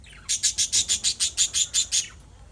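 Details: Pet budgerigars chirping: a steady run of about ten harsh, scratchy chirps at roughly five per second, each evenly spaced and equally loud, ending abruptly, with a quiet background.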